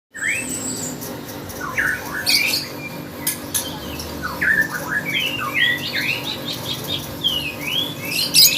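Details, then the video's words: Lovebird singing vigorously in a bird contest setting: scattered sharp chirps and rising squeaky notes, with harsh buzzy bursts between, over a steady low background hum. "Burung love bird gacor kontes"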